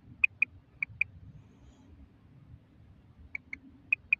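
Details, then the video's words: A Common Quail, labelled female and used as a hunting call, gives short, sharp, high clicks in quick pairs, four doublets spaced about half a second to two seconds apart, over a low background rumble. "bater ki awaaz"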